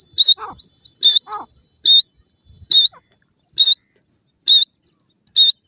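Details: Young black francolin chicks in forest surroundings: rising whistled notes at first, then steady high chirps repeated about every 0.9 seconds, with a few lower scratchy sounds.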